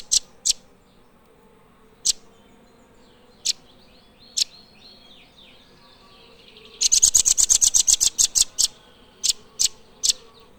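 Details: Blue nuthatch: scattered sharp, high single chips, then a fast rattling trill of evenly spaced piercing notes lasting about two seconds, followed by more spaced chips.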